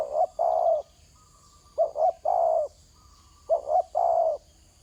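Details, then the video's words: On the ground, a spotted dove repeats its cooing phrase three times, about every 1.7 seconds: two short, rounded coos and then one longer, level coo, with a quiet constant background tone. "Terkukur kg bunyi atas tanah"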